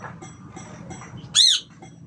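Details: Red-breasted parakeet during breeding season: faint chatter, then one loud, arched, ringing squawk with a rise and fall, lasting about a quarter second.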